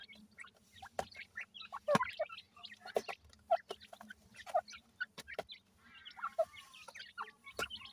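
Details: Francolin chicks at feeding, uttering soft peeps and brief clucks at uneven intervals, punctuated by sharp taps and clicks, with a faint buzzy rustle late on.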